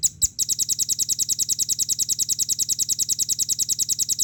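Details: Velvet-fronted nuthatch song for training caged birds: a brief click, then an unbroken run of high, piercing notes repeated fast and regularly, roughly three each second.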